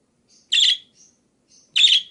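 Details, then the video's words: Two loud, scratchy budgerigar chirps about 1.2 seconds apart, with soft high twitters before and between them, from varied calls intended to train other birds to sing. "Suara Kicau Burung Parkit Berbagai Variasi"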